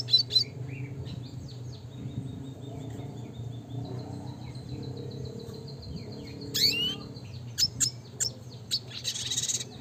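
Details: Scattered high thin notes and brief twitters from a classic red siskin performing gacor nembak ngeroll song meant for training, with short gaps between phrases and a constant low hum behind.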